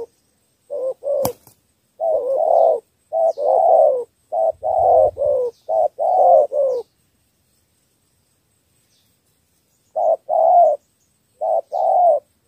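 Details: Spotted dove cooing in the thổ three-note style used to lure wild field doves. Runs of low double coos, each a short note then a longer one, are broken by a sharp click early on and a silent pause.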